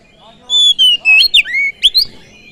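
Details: Oriental magpie-robin whistling to provoke other birds: sweet, drawn-out whistles, then quick slurred notes, some falling and some rising, in a lively phrase of about two seconds.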